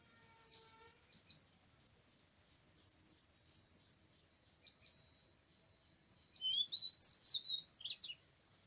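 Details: Oriental magpie-robin in a forest during bird trapping, recorded 24 March 2017: a few short high chirps, then after a long quiet gap a loud burst of varied, sweet whistled notes sliding up and down, ending in brief twitters.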